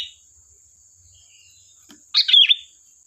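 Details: Lively sooty-headed bulbul used as a lure sings a single quick, gurgling phrase of rising and falling notes after a quiet stretch, with a thin steady high whine in the background.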